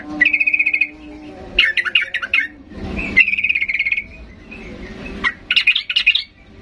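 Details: Sooty-headed bulbul singing agitatedly to draw answers from silent birds; rapid pulsed chatter runs alternate with bursts of tumbling, squeaky notes, repeated several times, with a brief rushing noise mid-clip.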